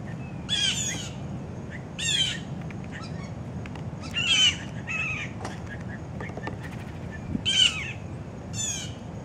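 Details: Blue Jays, roughly 14 adults and young, gather in an oak by a feeder for peanuts at breakfast, giving loud, harsh, buzzy jeers roughly every one to two seconds, with softer clicks and outdoor noise between.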